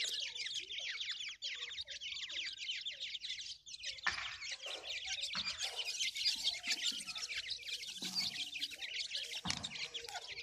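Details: Feeding grey francolin chicks fill the air with a continuous chatter of high, quick chirps, rising in intensity midway, with a couple of short, lower thumps or squawks.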